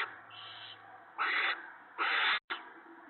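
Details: Owls on the evening of March 19, 2017, while prey is brought in for the female and owlets. One soft and two loud breathy screeches, each under half a second, the last cut off abruptly.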